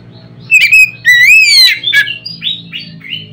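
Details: An Oriental magpie-robin sings loudly to spur other magpie-robins into song, with a bright rising whistle followed by quicker, softer chattering notes, over a low steady hum.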